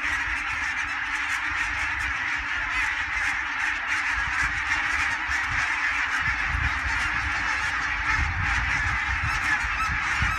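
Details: Greylag geese in flocks of thousands over the Elbe dike at Fährmannssand, Wedel, Hamburg, on 12 April 2020, recorded by phone: a continuous far-off chorus of honks, fairly even in loudness, with rumble rising toward the end.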